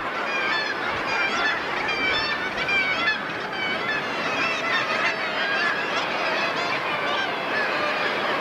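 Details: Common murre (Uria aalge) breeding colony on the Latrabjarg bird cliff, Iceland: a dense, unbroken chorus of harsh, overlapping growls and croaks from the crowded seabirds, with no single caller standing out.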